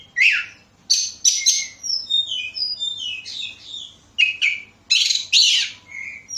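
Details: Oriental magpie-robin song used as a lure to make other birds sing, from Bekasi: scratchy bursts mixed with thin, high whistled notes running in descending strings, then loud rasping phrases and more sweet whistles.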